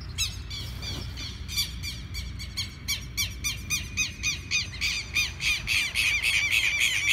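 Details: Southern lapwing (quero-quero) defending its chicks as a person approaches to move them off a field, diving low to intimidate: rapid, regular series of harsh, strident squawks, roughly three or four per second, growing louder and denser toward the end.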